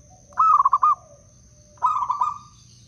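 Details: Zebra dove from the wild around Blora, its song used to lure and stimulate other doves. Two quick cooing phrases: a clear stuttered roll, then a softer bubbling one, over a steady high whine.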